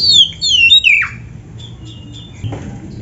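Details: Oriental magpie-robin (kacer) song for training caged birds: about one second of high, fast descending whistled slurs, followed by quiet background with faint thin notes.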